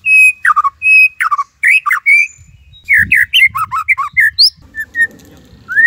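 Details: Tembakan Cililin song of a white-rumped shama, meant as master material: varied loud whistles and squawky rising and falling notes in irregular phrases, with some low rumbling in the background.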